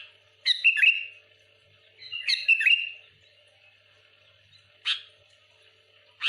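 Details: A sooty-headed bulbul provoking rivals. It gives two bubbly, warbling whistled phrases about two seconds apart, then two single sharp notes.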